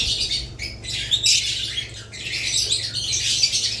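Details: Many budgerigars, with lovebirds, chatter in bursts of thin, high squeaky chirps separated by short near-silent gaps.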